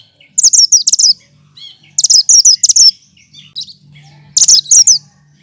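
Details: Green-plumaged cucak kinoy, known for copying other birds, delivers rapid rattling bursts of high chirps in three bouts, with brief softer notes and a faint low hum between.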